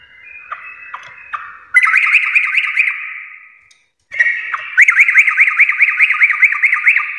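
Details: Sooty-headed bulbul in 'full garuda' gacor song: soft broken whistles, then a fast run of rising ringing notes, a short silence, and a longer, louder series of quick, evenly repeated upswept notes.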